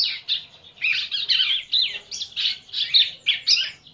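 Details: Tame, hand-reared bar-winged prinia giving a rapid run of sharp, buzzy chirps, roughly two per second, each a short high downslurred note, in a quiet setting.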